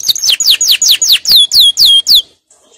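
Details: Canary song for training, a series of about nine loud, clear downslurred whistles, each sweeping steeply from very high to lower pitch, spaced roughly four per second.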